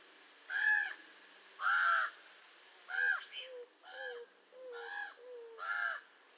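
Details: Raven calling: six harsh, grating calls, the first two long and loud, the later ones linked by quiet low gliding notes.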